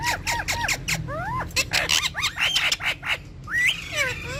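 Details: Several pet rose-ringed parakeets calling together: repeated hoarse squawks and short swooping chatter notes in rapid succession over a steady low rumble.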